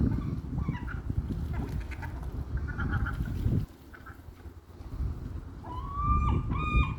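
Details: Seagulls possibly fighting over food give a few loud, harmonic squealing calls, each rising then holding steady, over a heavy low rumble of wind or handling noise.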